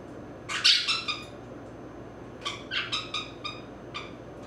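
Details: A 16-year-old female pet grey-cheeked parakeet (Brotogeris pyrrhoptera), enjoying a long, rough back scratch, gives a harsh, raspy burst of chatter, then a quick series of five or six short, scratchy squawks over a quiet background.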